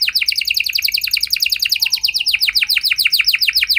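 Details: Canary singing a lively song meant to prompt other canaries to answer: fast rapid trills of downward-sweeping high notes, about three or four per second, shifting to a second trill type midway, a faint whistle underneath.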